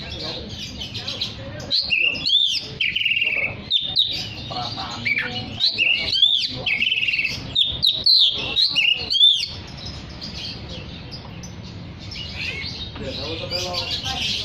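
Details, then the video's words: Oriental magpie-robin in full, energetic song used to call others of its kind: a dense run of varied whistles, chirps and trills, tumbling rapidly for several seconds, then quieter chatter over low background noise. "Terapi Suara kacer gacor untuk memanggil kacer lain dijamin langsung ikut bunyi"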